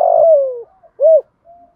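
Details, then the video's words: Spotted dove cooing to goad wild doves: the tail of a long buzzy coo falling in pitch, then one rounded arched coo and a faint soft hum. "cu gáy thúc gù bài bản bổi nghe ức chế với giọng này, cu gay kich boi nhanh noi gù"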